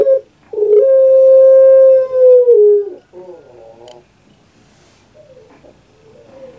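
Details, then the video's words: Pet puter pelung dove from Java. A short clipped note precedes a loud sustained level coo of about two seconds that dips at the end. A softer warbling note follows, then faint distant cooing. "KURANG AJAR BENER SUARANYA BIKIN PUTER PELUNG LAIN SAKIT HATI"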